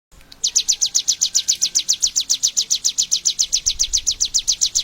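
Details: A Bar-winged prinia (Prinia familiaris) in Indonesia sings a long, steady string of sharp, high chirps at almost four notes a second, with faint background noise.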